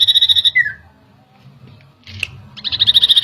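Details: Common iora reacting to a lure with a quick pulsed trill that drops into a falling slur, a quiet pause with a click, then the rapid rattling trill resuming.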